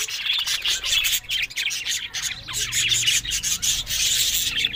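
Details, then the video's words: Loud, grating warble from happy talking budgerigars: raspy chirps packed closely together, broken by a few short pauses. "Amazing Talking Happy Budgies Sounds"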